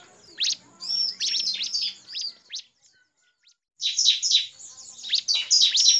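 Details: Bar-winged prinia (Prinia familiaris) lure call combining shooting song, female and chattering calls, used to trap prinias or prompt other prinias to sing: rapid bursts of high, sharp chirps and squeaky notes, about four per second, with a brief pause midway.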